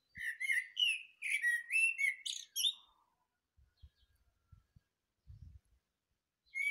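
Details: Thrush song at the start of the day: a continuous three-second stretch of varied whistled and twittering notes, then quiet with soft low thumps, and a new phrase beginning at the end.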